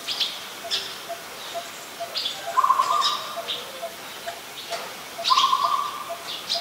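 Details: Two bursts of fast, rolling coo notes from an adult Zebra dove at Ubon Ratchathani, Thailand, recorded 28 December 2020, with frequent sharp, high chirps of other birds around it.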